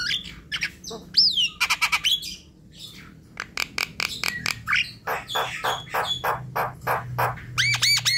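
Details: Javan myna, described as gacor, singing a varied medley of sharp clicks, rapid rattles, a looping whistled squeal and short buzzy notes, ending in quick ringing repeated notes.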